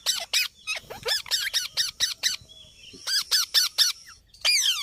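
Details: Green parrot giving harsh, shrill squawks in quick runs of three to five notes, with short pauses between bursts and a final rapid series of descending screeches.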